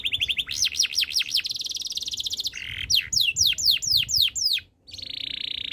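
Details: Canary song: steady trill, a run of zigzag up-down whistled slurs, a long fast rattle, then descending whistled sweeps and a closing steady trill.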